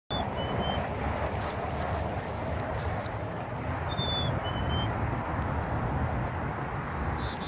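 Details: Black-capped chickadee in Burlington, Canada, on March 26, 2018, gives two clear whistled 'fee-bee' phrases, each a high note dropping to a lower one, about four seconds apart, over a steady low rumble.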